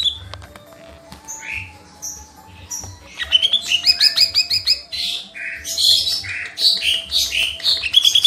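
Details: Vigorous lesser green leafbird master song: a few quiet whistles and high notes open, then a long run of rapid, varied chirping, trills and sharp twittered phrases, with a faint steady low hum underneath.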